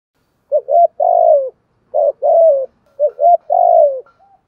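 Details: Decoy spotted dove, used to train new birds and to lure others, coos in the calling style: three repeated phrases of two short hooting notes followed by a longer, falling coo, about one phrase every 1.5 seconds.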